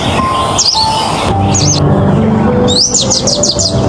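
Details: Oriental white-eye (Zosterops palpebrosus) song: thin, high, sweeping notes in short bursts, ending in a quick run of five rising-falling phrases, over a low hum and faint music.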